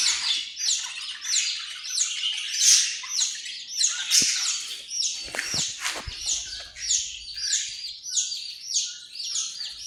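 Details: Australian parrot uttering a fast, steady run of scratchy chattering notes, about two per second, each a rasping burst dropping in pitch, with a few sharp clicks midway.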